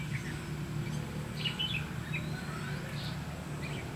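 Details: Red-whiskered bulbul decoy in a trapping setup, 30 May 2016. A burst of clear, quick warbled notes is followed by a few spaced chirps, all over persistent low-pitched background rumble.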